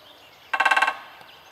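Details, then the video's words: A Great Spotted Woodpecker drumming on lamp posts at Oświęcim-Kruki, Poland, on 26 April 2011. It gives a brief, very fast roll of about eight ringing metallic strikes lasting under half a second, then quiet hiss. "DZIĘCIOŁ DUŻY (Stukający w latarnie!)"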